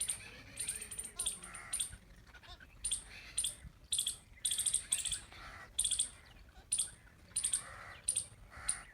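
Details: Jungle babbler, known locally as satbhai or seven brothers: harsh, scratchy chattering bursts in quick clusters, repeated about every half second to a second through the recording, over a faint low background hum.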